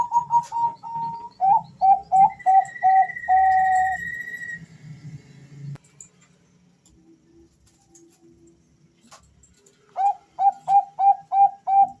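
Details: Two male Bangkok-type zebra doves, vocal and active, answering each other: a run of short clipped whistled notes, a long steady note and a drawn coo, then silence before another quick series of about six even notes.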